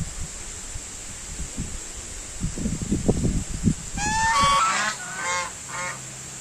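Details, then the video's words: Low thumping and scuffling at first, then white domestic geese burst into loud nasal honks in a quick series of four or five calls, followed by quieter ambient hiss. "SUARA SOANG, ANGSA PUTIH - WHITE GOOSE NOISE SOUND"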